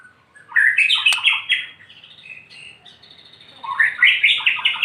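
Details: White-rumped shama singing in the morning sun, used to prompt quiet shamas to sing: rich warbled phrases with slurred, rising notes, a brief lull, then a fresh burst of full, varied song.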